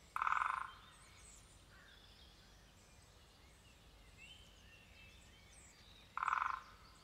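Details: A great spotted woodpecker hammers on a nest box, giving two brief, loud rolls of rapid knocking about six seconds apart, each roughly half a second long, with soft distant birdsong between them.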